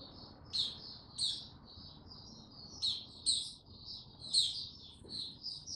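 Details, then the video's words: White-eye (mata puteh), a male, recorded 6 March 2022 while building up slowly toward opening into song; scattered sharp high chirps and warbled notes, louder bursts about every second, with quieter twittering between. "Mata Puteh Before he open buka"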